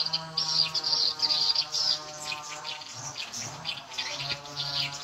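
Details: Edible-nest swiftlets answering a played lure sound, speaker volume set at the nine o'clock position. Dense high twittering chirps in bursts, with a steady low hum underneath.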